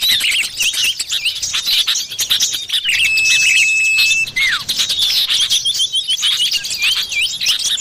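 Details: Common iora in the wild, a lure sound: mid-clip comes a steady drawn-out whistle that drops abruptly in a slurred downstroke. Constant high-pitched chattering and chirping from many other birds surrounds it.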